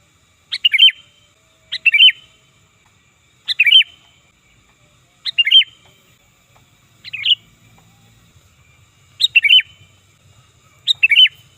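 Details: Series of seven loud, cheerful bubbly phrases from a sooty-headed bulbul, used for luring birds, each a sharp note running into quick slurred syllables, repeated about every one and a half to two seconds, faint low rumble later.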